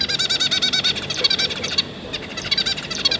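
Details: Zebra finches, a pair of parents with three juveniles, recorded 5 August 2022: rapid runs of nasal, harmonic-rich calls repeated almost twice a second, with a short pause near the middle before the chatter resumes.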